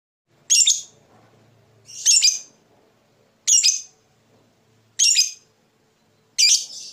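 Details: Fighter lovebird giving its ngetik ticking calls, the build-up before a long ngekek trill meant to provoke rival birds into singing: harsh, buzzy chirps spaced about every one and a half seconds, five in all, with faint low background noise.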